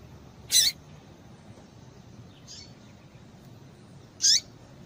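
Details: Call of a female double-collared seedeater, played to excite males into singing: two sharp high chirps about four seconds apart, the second dropping to a short tail, with a faint softer note between them.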